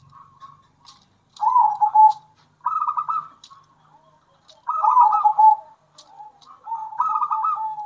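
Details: Local zebra doves, wild and captive-bred, singing in turns with bekur and kerot styles, used as a lure to rouse other doves. Rolling, rapidly pulsed cooing phrases, each about a second long, come in several bursts with brief quiet gaps between.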